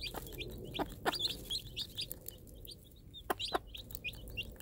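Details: Mother game hen with day-old chicks gives short, low clucks in pairs as she drops food for them, while the chicks answer with busy, high-pitched peeping.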